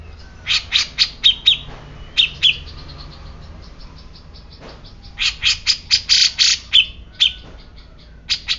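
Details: Grey-cheeked bulbul, described as a normally silent bird turned suddenly agitated, giving bursts of sharp, high chirps that slur downward, several quick notes per burst, with pauses between bursts and a faint background hum.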